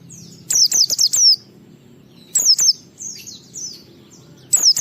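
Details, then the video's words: White-eye song meant to tempt other white-eyes into singing loudly: a rapid string of four or five shrill descending notes, a shorter burst two seconds later, then quieter high warbles and a final sharp phrase. "Suara Burung Pleci ini Raja Menggoda Semua Pleci cepat Ngalas Ngeplong Gacor"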